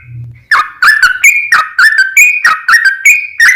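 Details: Lure song of a yellow-vented bulbul in the long rapid 'ropel panjang' style, meant to set other bulbuls singing: after a low murmur, a series of clear whistled notes alternates between higher and lower pitches.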